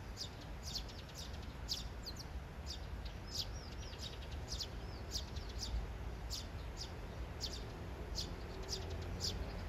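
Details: Courting Eurasian tree sparrows, a trio where two birds approach and chatter at a third; bright short chirps and curved twittering notes scattered densely across the stretch, with constant low-pitched ambient rumble beneath.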